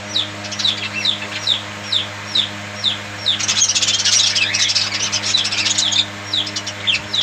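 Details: Regular sharp down-slurred chirps from budgies, about two per second, give way to a loud stretch of raspy warbling chatter before the chirps resume.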